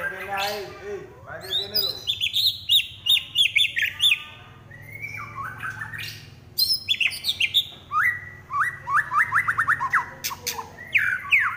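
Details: Fighting white-rumped shama in rapid, loud song: dense runs of sharp whistled notes and chattering trills, some phrases sliding downward, sung almost continuously.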